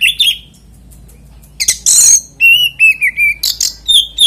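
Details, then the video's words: Oriental magpie-robin singing to lure other magpie-robins into song. An opening whistle, a pause, then a harsh chatter and a rhythmic series of short whistled notes, about two and a half per second. "PANCINGAN KACER NGEPLAY ANTI NGRIWIK DIJAMIN KACER LAIN IKUT GACOR"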